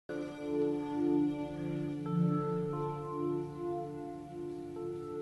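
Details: Soft ambient music of sustained ringing tones that shift in pitch, with no animal calls.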